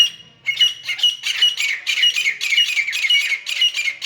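Grey francolin giving harsh, grating squawks in rapid bursts, about two every second, high-pitched and scratchy, with no other sounds heard.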